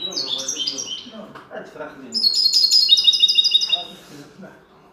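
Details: A linnet singing in goldfinch style: a short bright twitter, softer lower chatter, then a louder, sustained stream of rapid, high, glittering notes lasting about a second and a half before fading.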